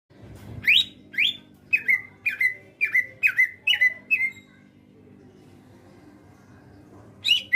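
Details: Kept greater green leafbird singing energetically in its natural voice: a run of about eight sharp, down-slurred chirps at a steady pace, then a pause with low background hum and a final chirp.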